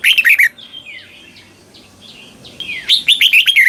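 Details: Red-whiskered bulbul song in the doubled southern style, used as a model for young birds. Rapid warbled bursts open and close the passage, with faint whistles from other birds between.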